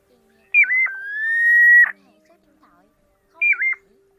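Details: A long, slightly rising sustained whistle from a Pacific golden plover, opened by a quick dipping note and followed after a pause by another dipping whistle; used to lure migrating birds into night nets, August 2024.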